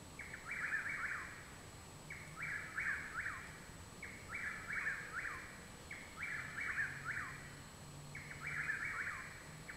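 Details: Possibly three Chuck-will's-widows (Antrostomus carolinensis) singing behind a home in Parkersburg, West Virginia, on 21 June 2019: a rolling, whistled chuck-will's-WID-ow phrase about every two seconds, with faint insect hum and low rumble.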